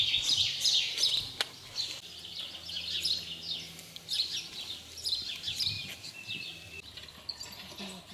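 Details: Mating house sparrows in 2020 deliver lively, repeated high chirps in irregular bursts, with a faint low hum in the background.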